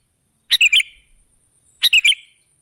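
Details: Sooty-headed bulbul used as a lure for other birds, giving two brief bubbly phrases of three to four rapid chirping notes about a second and a half apart, over a faint high background tone.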